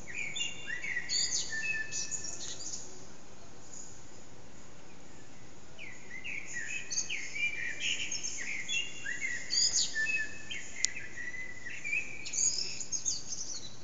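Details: Eurasian blackbird singing around 4:30am in an echoing backyard, bird or birds not visible, recorded with an HTC Desire; repeated fluted warbling phrases with high scratchy endings, a quiet gap of several seconds, then the song resumes, one sharp click heard.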